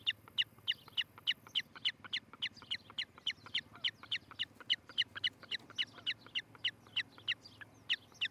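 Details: Nest-cam recording from Charlo, Montana, on a July morning in 2018, where an osprey pair nests; piercing whistled cheeps run on without pause, evenly spaced at roughly three and a half per second.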